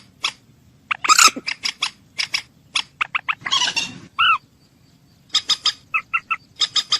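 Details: Moorhen voice: scattered sharp clucks, a harsh rasping burst, a short nasal croak, then a quick run of bright clipped notes repeated several times.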